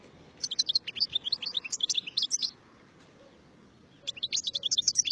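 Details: European goldfinch singing two quick bursts of high, liquid twittering, the first lasting about two seconds and the second starting after a short silence, over a faint background hiss.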